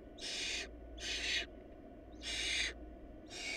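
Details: Barn owl nestlings in a nest short of food, where the smallest chick died: four harsh, breathy hissing screeches, each about half a second, over a steady low hum.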